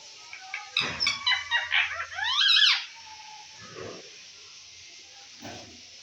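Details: Pet green Indian ringneck parakeet, a talking parrot, calling while eating fruit indoors: a burst of loud, harsh, harmonic squawks and chattering notes over about two seconds, some sweeping up and down, then two soft low rustling sounds.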